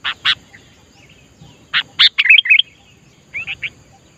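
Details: Bulbul, sooty-headed, singing in the wild: a lively run of short, bright chirps and bubbly warbled notes in quick clusters, with pauses between bursts, ending in three quick chirps; the background is otherwise quiet.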